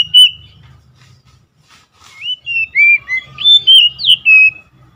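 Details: Oriental magpie-robin singing: after a quiet start, a run of loud, clear whistled phrases from about the third second, sliding and warbling up and down, each note distinct, over a low background rumble.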